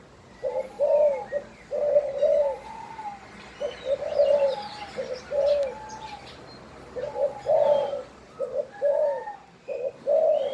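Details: Spotted dove calling with mellow, hollow coos grouped into short repeated phrases, each burst followed by a brief silence, while soft chirps of other birds sound faintly behind.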